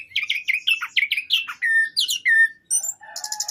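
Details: Varied whistled song of a kept orange-headed thrush: a quick series of rising and falling clear notes, then a sustained level whistle, followed by high buzzy trilled notes.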